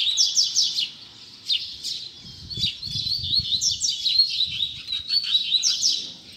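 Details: Double-collared seedeater singing tui tui zel zel, a continuous stream of high, rapid, buzzy chirps and sharp descending notes with a low rumble of background noise.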